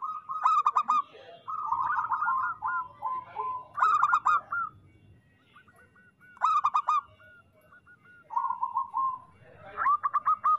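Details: A local zebra dove sings, meant as a master recording for moulting and reluctant birds: bursts of trilled, rolling coo phrases, some starting with a sharper note, repeated with short pauses over ten seconds.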